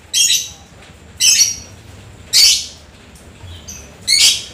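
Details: Lovebird singing after rain: four harsh, high chattering bursts spaced about one second apart, each a short shrill squeaky phrase, with a faint high whistle in the gaps.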